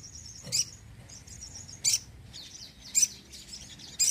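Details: Sogon bird song used to lure birds and stir lazy birds into singing: four short, sharp, very high chirps spaced about a second apart over a quiet background.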